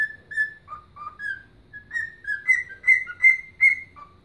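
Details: Tuneful whistling from a dancing pet bird copying the Chelsea Dagger melody. Notes alternate between higher and lower pitches, speeding up into evenly spaced bright whistles before a last low note.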